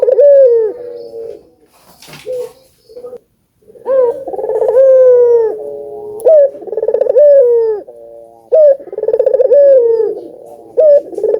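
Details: Albino ringneck dove cooing, played to stimulate other doves to call: strong rising-then-falling coos with a rapid pulsed trill in between, repeated about every two seconds, with a brief noisy burst early on.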